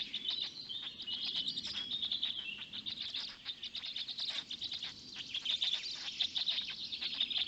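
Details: Black stork storklets at a Polish nest in the Noteć Forest being fed by a parent at dawn, 19 May 2020; a steady torrent of shrill chirps and squeaks, overlapping, slightly louder toward the end.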